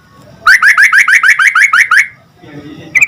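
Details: Yellow-vented bulbul singing to prompt a reply from other bulbuls: a quick run of about ten bright, slurred, rising notes, then a short pause and the start of a buzzy rattle.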